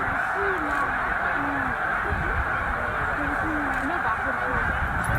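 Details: About 100,000 migrating snow geese gathered at Middle Creek wildlife refuge en route north; dense, unbroken chorus of honking, with separate short wavering calls standing out above the steady din.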